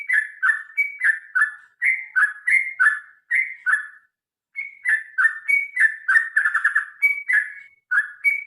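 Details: Lively fighting-style song of a sooty-headed bulbul, played to prompt other birds to sing: strings of chortling, slightly descending whistled notes at a fast steady pace, broken by one silent gap of about half a second.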